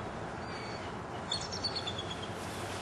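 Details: A female Bald Eagle in the nest in the Florida Everglades, feeding her young and waiting for her mate to bring food, cries out with a quick run of thin, high piping notes stepping slightly downward, over a wind hiss.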